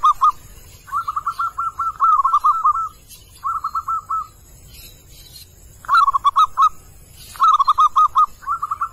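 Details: Calling wild male zebra dove, used to lure wild birds: repeated phrases of fast, staccato cooing notes in rolling runs, several phrases with short pauses, faint chirps of other birds behind.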